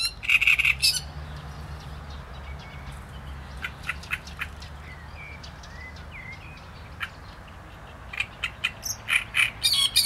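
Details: Great reed warbler delivering gruff, creaking phrases at the start and end, with scattered softer clicks and faint notes in between.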